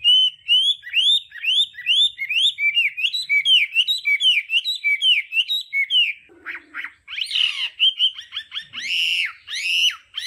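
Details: Hwamei in the varied, tone-switching training song style, used for voice training. It gives a long run of rapid looping whistled notes, then louder, harsher warbled bursts with rich overtones.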